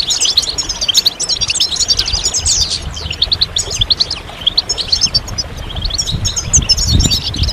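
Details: A group of European goldfinches in chorus, used to encourage males out of moult and into song: rapid liquid twitters and buzzy notes pile up nonstop, over a faint low background rumble.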